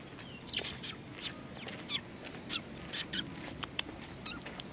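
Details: Eurasian tree sparrows coming to be fed at a Tenmangu shrine, recorded 20 September 2020: short high chirps in scattered bursts, about two dozen a minute, with a faint steady background hum.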